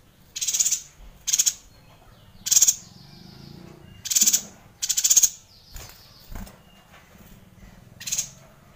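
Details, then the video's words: Yuhina in full, continuous song, offered as a training model for shama songbirds: rasping, hissy chatter bursts, some doubled, separated by short gaps, with faint thin whistled notes in between. "Dengarkan Suara Yuhina Gacor Ngerol panjang ini untuk Masteran Murai Batu anda"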